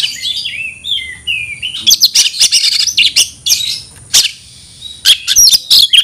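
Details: Oriental magpie-robin issuing a fight challenge: opening with descending slurred whistles, then loud clusters of harsh chattering and clipped notes repeated at short intervals.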